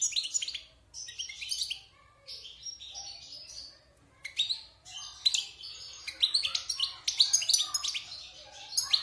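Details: Wild European goldfinch in a cage after its moult, six months captive, giving choppy twittering phrases early, a pause, then an accelerating run of crisp chirps and trills toward the close.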